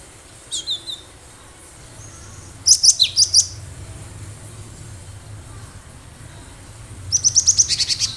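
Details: Lively wild cinereous tit, its natural song used as a lure: two soft notes, then a quick run of about five sharp high chirps, and later a rapid series of about nine evenly spaced notes.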